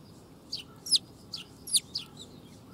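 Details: Young sparrow calling in August 2021: short, high chirps and squeaky notes, about five in under three seconds, some sharply rising, over a steady low background hiss.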